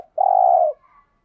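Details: Spotted dove call meant to stimulate other doves: one drawn-out, even, mid-pitched coo lasting about half a second, then a faint trailing note, with no other sounds.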